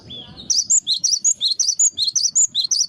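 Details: A cinereous tit (gelatik batu) gives its lure song: a short lower slurred whistle, then a brisk series of bright, high paired notes alternating up and down about four times a second; soft low background noise.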